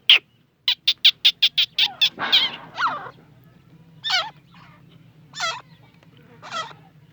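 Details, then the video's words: Grey francolin (teetar) in Pakistani jungle, recorded in a hunting setting: a quick burst of about eight harsh, clipped notes, then loud, ringing, looping calls about every 1.2 seconds over a faint low hum. "grey francolin hunting partridge jungle mein teetar Ki Boli Irani teetar sound of Pakistan"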